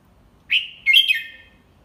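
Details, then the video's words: Red-whiskered bulbul, an adult tutor bird teaching young birds the 'double 3' song style slowly and clearly: a single short whistled phrase, a bright note, then a warbling, slightly descending second part, over a quiet background. "เสียงนกกรงหัวจุก ใช้สินก็อปเสียงลูกนกได้"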